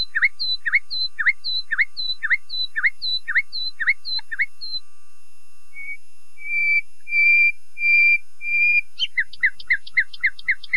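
A Common Nightingale sings about ten quick downslurred notes, then a few swelling pure whistles, and ends with a fast run of sharp notes. No other sounds are heard.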